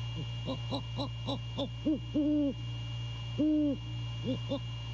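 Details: Great horned owl male on a late-night visit, 1:24 AM, 6 January 2022, recorded by a nest camera at Savannah. Quick low pulses give way to three deep, flat hoots, the last held longest, over steady electrical hum.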